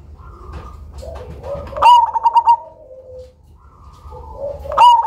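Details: Loud Cemani zebra dove kept as a lure, giving a sharp note then a quick run of pulsed coos, softer background cooing, and a second phrase starting at the end.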